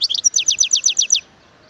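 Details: Wild European goldfinch singing in 2018: a rapid run of about nine bright, twittering notes, each sliding downward, packed into just over a second, then silence.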